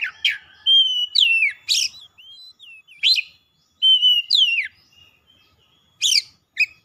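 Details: Excited Oriental magpie-robin singing its 'isian' imitation phrases: level whistles that drop into swooping downward slurs, mixed with sharp clicky bursts and little curling notes, delivered in uneven phrases about three seconds apart.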